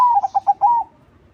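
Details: Crossing zebra dove singing as a lure for other doves: a cooing phrase that opens mid-note, runs through three short rhythmic coos and ends on a long smooth note, then fades to faint background noise.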